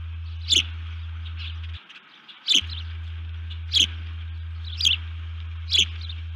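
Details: Osprey calling alerts at the nest after something upset it, 1 June 2019 around 04:35, nest camera: single sharp, high chirps spaced about one second apart, five in all, over a low steady hum that briefly drops out.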